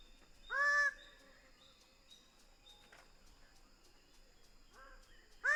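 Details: Greater bird-of-paradise giving a loud, harsh, nasal call rich in overtones with a slight upward inflection, followed by a quieter rising note and the start of another loud call at the end, over a steady high-pitched insect-like drone.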